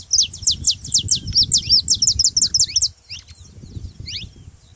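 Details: Saffron finch song used to stimulate other canaries to sing: rapid series of high, sharp descending chirps, about three per second, then a pause and scattered softer notes, over a low background rumble.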